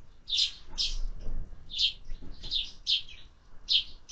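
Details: Sparrows fed in summer utter loud, clear chirps in pairs and singles, about eight in four seconds, sharp and bright against a quiet background.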